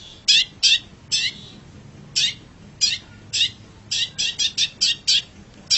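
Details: Master song of a long-tailed shrike for teaching pet birds: short, harsh, buzzy notes given singly at first, then quickening into a closer run of rasping calls.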